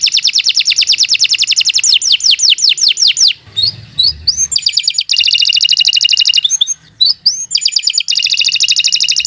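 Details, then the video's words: Canary song for tutoring young or non-singing canaries: a fast high rolling trill, then falling whistles, brief pauses, and renewed rapid trills. "Kicau Burung Kenari 80 II GACOR PANJANG Cocok untuk Masteran"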